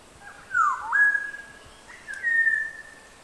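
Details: A Maroon Oriole on Kaker Walk, Nainital, in the Himalaya, gives two rich, fluty whistled phrases about a second apart, each sliding down and then holding a steady level tone.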